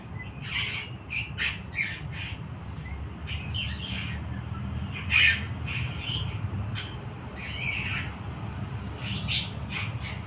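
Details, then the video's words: Young long-tailed shrike learning to sing, recorded 17 May 2023: scattered harsh, squawky notes and short scratchy bursts at irregular intervals, over steady low background noise. "cendet trotol belajar bunyi"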